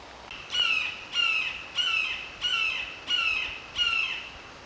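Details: A Red-shouldered Hawk calls in Connecticut preserve woodland of hemlock, mountain laurel and ferns, perched about 30 yards away: six loud, high, slightly descending screaming notes, evenly spaced about two thirds of a second apart, over quiet forest background.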